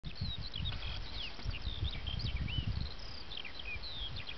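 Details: Eurasian skylark singing in its habitat: a continuous, high-pitched stream of rapid chirps, trills and short slurred whistles, with steady wind rumble throughout.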